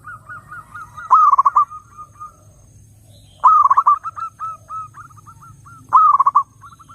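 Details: Zebra dove song, used to lure wild zebra doves: three loud bursts of rapid stuttering coos about every two and a half seconds, each trailing into softer, evenly spaced coo notes, over a low steady hum.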